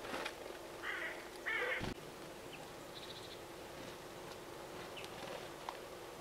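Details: Nasal, drawn-out calls from a Brambling at a feeder for wild birds in Limousin, central France, on 25 November 2015. Two short harmonic calls come close together, followed by a sharp click and faint background chirps.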